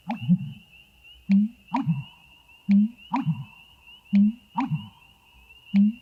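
Black bittern giving deep, hollow booming hoots, short low notes repeated about every second or so, over a steady high insect whine.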